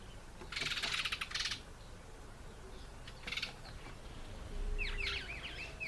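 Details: Treron calvus, the African green pigeon, feeding on an apple: two rattling, buzzy bursts of fast pulses, then a cluster of quick whistled notes sweeping down and up near the end.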